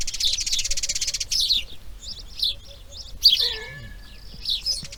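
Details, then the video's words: Nestling grey herons at the breeding nest, day two: a rapid rattling tick-series for over a second, followed by short sharp squeaky notes and a drawn-out downslurred call near the end, with a faint steady hum beneath. "Garza real (Ardea Cinerea) Crianza Dia 2| Grey Heron Breeding"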